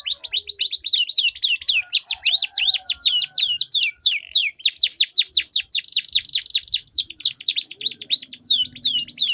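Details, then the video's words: Sweet-voiced canaries duelling with long rolling song to coax jammed canaries into singing; a dense, steady run of repeated high downslurs and quick rolls without pause. "Duel Burung Kenari Suara Merdu Ngerol Panjang"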